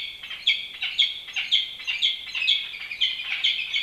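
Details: Peregrine falcon at its nest on top of the Campanile at UC Berkeley; rapid, harsh, grating notes about two per second, loud and steady throughout.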